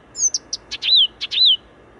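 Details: Singing Blyth's reed warbler, Wola, Warsaw, Poland, near the Zachodnia station: a loud, fast phrase of high thin notes, husky buzzes and two downward-curving whistles.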